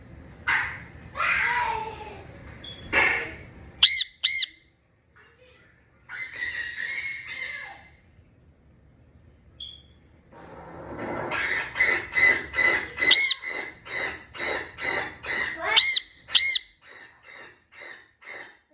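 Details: Male sun conure, a pet parrot indoors, calling out on hearing its own kind: loud, harsh, ringing screeches in short bursts, then a rapid series of repeated squawks, with a person talking at the start.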